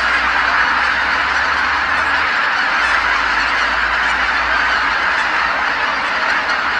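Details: Tens of thousands of geese come home to Kabukuri-numa marsh at dusk, calling in unison as they return from feeding; thick, constant honking chorus with individual cackles blurred into one continuous mass of sound.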